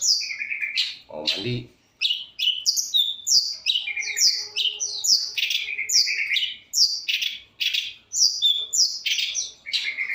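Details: Long-tailed shrike in full varied song recorded on a phone: a steady stream of high downslurred whistles and chirps, with a brief harsh rasp near the start. A faint low hum sounds partway through.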